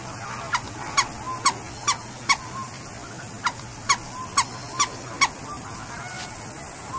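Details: Brief nasal honks from a scarlet ibis, about a dozen clipped notes spaced roughly every half second with a short break midway, over a continuous hiss.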